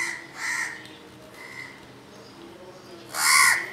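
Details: In Dhaka, Bangladesh, a group of crows mob a barn owl sitting helpless in dazzling daytime sunlight at a house, without pecking it; harsh, nasal caws, two shorter ones early, then a loud, broad caw near the end.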